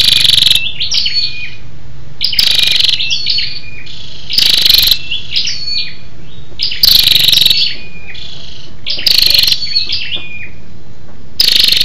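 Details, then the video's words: Calling to stimulate males, a female scarlet-backed flowerpecker gives loud buzzy rattles roughly every two seconds, with thin downslurred chirps and short whistles in between. "SÂU ĐẦU ĐỎ MÁI RO KÍCH TRỐNG- Giọng MỒI HAY"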